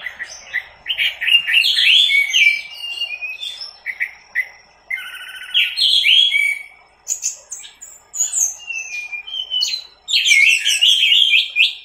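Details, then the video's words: Orange-headed thrush teler song for a masteran tutor recording: a fast, varied stream of chirps, trills and whistled notes, high and jumbled, delivered in bursts with brief gaps between them. "20 MENIT MASTERAN ANIS MERAH TELER"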